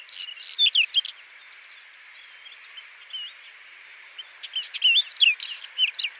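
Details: Whinchat song: short bursts of scratchy, varied chirps and whistles around two seconds long, separated by pauses of quiet background hiss, repeated twice.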